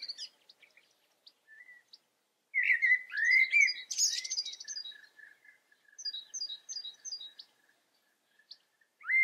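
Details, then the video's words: Wild European goldfinch observed in the Eifel, Germany, giving scattered tinkling twitters, then a dense burst of liquid chattering notes and buzzy trills, followed by lighter repeated high chips and a final rising note. "Stieglitz vor der Kamera. European goldfinch observation."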